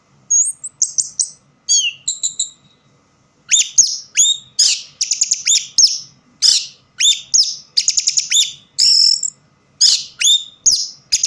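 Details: Orange-headed thrush still singing where light is low: a lively run of varied high phrases, rapid chattering notes mixed with sharp whistles and downward slurs, grouped in bursts with one short gap near the start.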